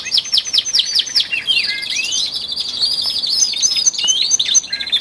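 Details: A chorus of twelve male canaries in early February, about 46 days before spring, sings ever more intensely: quick bouncy trills, looping whistled phrases and scattered sharp chirps crowd together without pause.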